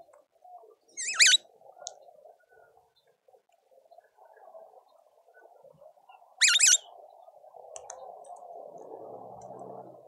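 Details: At a garden feeder in suburban Pretoria, South Africa, speckled mousebirds give two short, harsh, warbling bursts about five seconds apart over a steady low hum of other bird sounds.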